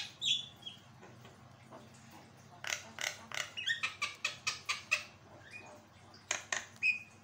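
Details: Javan myna in full song, recorded to tutor other birds and prompt them to sing: a few thin whistles, then a quick run of harsh clicking bursts, another pause and two closing whistled notes.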